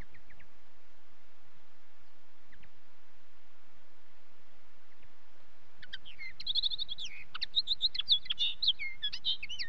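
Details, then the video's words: Common linnet singing: a few faint chirps early on, then a rapid, varied twittering run of chirps and trills over the last four seconds. "Linnet song"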